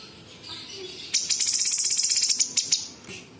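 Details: Cucak cungkok bulbul, a gacor singer with sharp, dense tembakan imitations of small birds and insects. A fast buzzy trill of rapid, evenly spaced high pulses lasts about a second and a half, with faint chips before and after.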